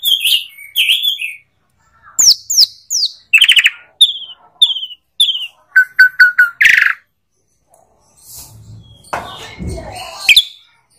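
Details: Asian pied starling giving spaced whistled notes and short chirp series, a quick run of repeated pips, then a pause and a soft rustling scratchy passage at the close.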